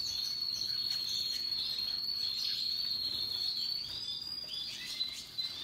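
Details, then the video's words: Russian yellow and Timbrado canaries singing happily alongside other birds: a long, continuous high rolling trill held steady for about five seconds, then breaking into shorter chirped notes near the end. "Relaxing Canaries and others birds singing sounds"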